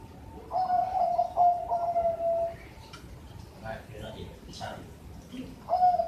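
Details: Caged Bangkok zebra dove from Sidoarjo, East Java, giving clear, fluty coos at the start, then a pause while a person speaks and other room noises are heard. A final bright coo comes at the very end.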